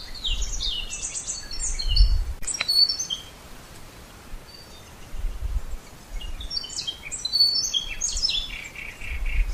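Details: Starling sings a jumble of high sliding whistles and short chirps, pausing midway before resuming with more descending whistled notes, with low rumbling noise throughout.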